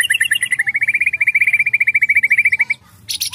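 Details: Agitated white-rumped shama in vigorous (gacor) song: a long, rapid trill of about forty clear, evenly spaced whistled notes, followed by a brief burst of high, rough notes.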